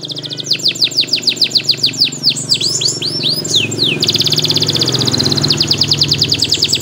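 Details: Canary in full song, a tutoring recording for young birds and a prompt for reluctant singers: loud, rapid series of descending whistled sweeps, then rolling upslurred notes, then a dense high trill, over a steady low hum.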